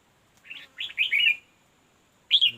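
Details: Red-whiskered bulbul calling at a decoy fight-trap: short bubbling warble, then a louder rolling run of chirped notes, silence, and a final sharp two-note phrase.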